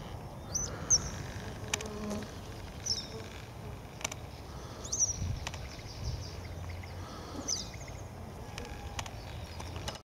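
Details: Western yellow wagtail recorded in Siberia, where it swallowed a large fly, uttering four thin, piercing, high short calls spaced two to three seconds apart, with low background rumble and faint clicks.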